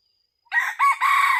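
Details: Red junglefowl used in hunting with a decoy bird gives a loud, raspy crow in three segments: a rough opening, a short ringing middle note, then a drawn-out harsh ending. A thin insect whine sits faintly behind.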